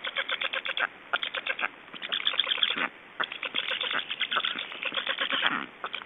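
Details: Estonian black storks calling at the nest while being fed, morning of 24 June 2012; rapid rhythmic series of harsh quacking notes in bursts, with brief gaps near the two- and three-second marks.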